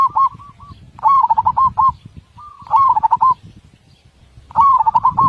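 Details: Zebra dove singing with a big voice and tight beats: four rolling phrases, each a rising opening note followed by quick, evenly spaced bubbling coos. Softer flat notes sit between the phrases. Muffled low background noise.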